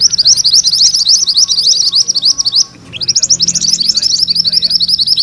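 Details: Mantenan kuning sings gacor, rolling ngerol style: dense streams of high, rapid buzzy notes, broken by one short gap before another fast roll.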